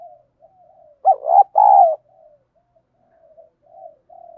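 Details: Bronze-voiced spotted dove used as a fighting lure: quiet murmuring notes, then a loud throaty two-part coo, followed by soft low cooing that trails off and resumes.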